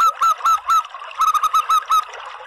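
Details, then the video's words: Local zebra dove call used as a lure to attract doves: loud, distorted, slightly rising cooing notes, first three evenly spaced, then a quicker run of about six short notes after a brief pause. "SUARA PANGGILAN PERKUTUT LOKAL ¦ PANCINGAN PERKUTUT"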